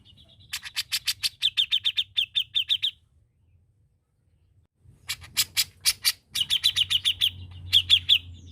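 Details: Grey-cheeked bulbul (cucak jenggot) in full gacor song, used as a master recording: quick runs of sharp, buzzy chipping notes in three bursts split by short pauses, with a soft low hum underneath.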